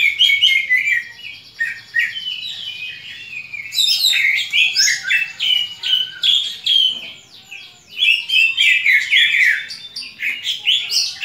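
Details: Aggressive fighting call of a greater green leafbird, meant to train other leafbirds' fighting mentality: rapid bursts of high, varied chattering and sweeping whistles, about three or four notes per second, with short pauses.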